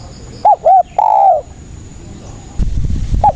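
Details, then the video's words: Vigorously singing spotted dove, used as a trapping lure. A single phrase: two quick rounded coos, then a long level coo that fades downward. Rustling noise follows, and one short coo comes near the end. "SUARA BURUNG TEKUKUR GACOR"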